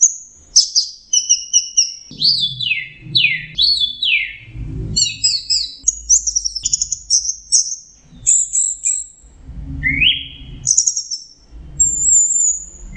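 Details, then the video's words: An orange-headed thrush in full teler song delivers a long, varied medley: downward-sweeping whistles, rapid chattering trills, a low rising note and high thin whistles, with a low background hum. "suara burung anis merah sedang teler"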